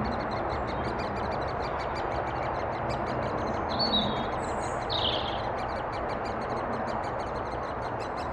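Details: Chicks of great spotted woodpeckers being fed by adults, Thurrock woods, 20 May 2014, FinePix HS50EXR camera: fast, even series of sharp high notes throughout, two short whistled notes from another bird near the middle, continuous hiss.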